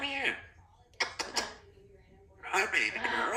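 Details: A 2-year-old female Congo African grey parrot, a talkative pet, mimics speech in the morning in two short voice-like bursts with falling and rising tones, separated by a few sharp clicks and knocks.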